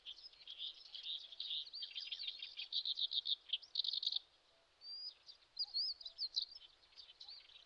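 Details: Common sandpiper on a Shin'etsu riverbed in Japan in late May, an adult guarding lively chicks. Rapid high twittering bursts for four seconds, a short pause, then thin rising whistled notes against a soft natural background.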